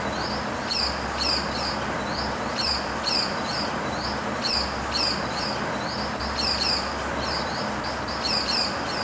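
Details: A pied falconet gives thin, shrill, high-pitched notes in quick clusters about every two seconds, over a steady low engine-like hum.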